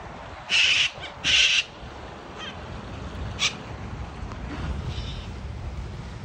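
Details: Yellow-crested cockatoos from a group met along Changi Beach, Singapore, where the birds are non-native, likely released pets; two loud, harsh screeches about a second apart, then fainter scattered squawks over steady background noise.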